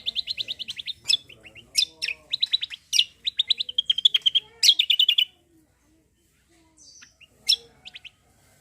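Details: Lively cucak kombo song meant to coax untrained birds into singing: long runs of rapid repeated high notes broken by sharp piercing chirps, then a pause and a few scattered calls.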